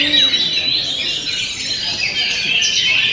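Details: Kacer's 'ngent'-style song, with quick repeated high notes, about three per second, blending into whistled slurs and chatter.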